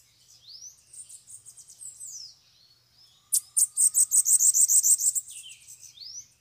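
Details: A bananaquit among several free birds drawn to a cage during a bird-catching session. Thin high sweeps and soft notes build into a rapid, ringing trill of about a dozen piercing notes, then fade with a final upslurred whistle.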